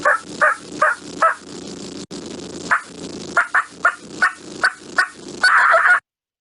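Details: Wild Turkey cackle, given when flying down from the roost or by a hen excited at seeing a tom: an uneven run of about fourteen sharp, mid-pitched clucks, bunching faster and ending in a longer, excited burst.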